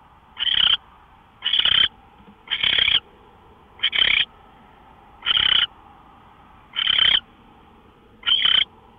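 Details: Owl in the early hours of 24 March 2013, 5:27 AM, uttering seven hoarse, hissing screech calls spaced unevenly about a second or more apart, each short and rasping, over a soft steady hum.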